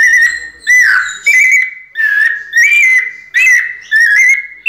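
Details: A caged white-necked thrush in pianado song gives flowing whistled phrases in close succession. Each phrase starts with a sharp attack, wavers, and then slides slightly down or up. The sound is rich in overtones.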